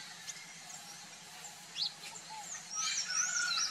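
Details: Sayaca tanager in a backyard: thin, squeaky high notes, a few scattered early, then a run of quick rising-and-falling twitters near the end, over a steady background hiss.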